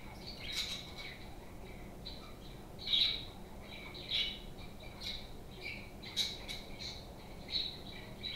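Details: Playful pet parakeets, budgerigars at home, keeping up irregular bright chirps and scratchy squawks, about a dozen bursts in eight seconds, with a constant low hum behind them.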